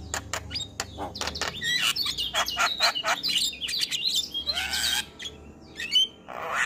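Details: Javan myna male in spirited morning song full of varied elements: rapid sharp clicks, harsh chattering bursts and a few bright whistles, with occasional loud raspy noise bursts.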